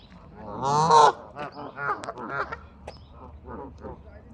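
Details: Geese in Bramhall, England, opening with one loud harsh honk followed by a run of quieter, broken, overlapping calls from the flock.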